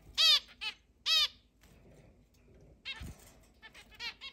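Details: Zebra finches, eight pet birds in a large indoor cage, also flown free around the house, recorded 10 July 2022: loud nasal, trumpet-like beeps with stacked harmonics, two strong calls then a quicker cluster after a thump.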